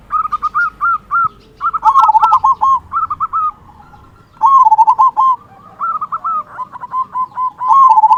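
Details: Local zebra dove (perkutut) in strong song, a loud 'kung' style phrase used as a lure to stimulate other doves to sing: repeated bursts of rapid mellow coos, each phrase a rolling series of short notes followed by pauses.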